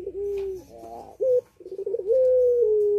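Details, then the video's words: A puter pelung Barbary dove in breeding condition coos from its cage. A steady, level coo is followed by a brief rough trill and a short rising note, then a long sustained coo that sags slightly at the end. "Puter Pelung Gacor Birahi"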